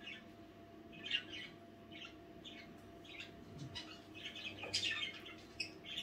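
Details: Night-time budgerigar chatter, soft and scattered at first, then building into a denser run of squeaky chirps and twittering near the end, with a low background hum.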